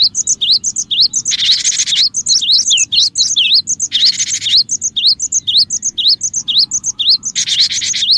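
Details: Cinereous tit in full, lively song, recorded as a lure for other birds: sharp two-note whistles repeated about twice a second, with loud buzzy churring bursts in between and a faint low hum behind.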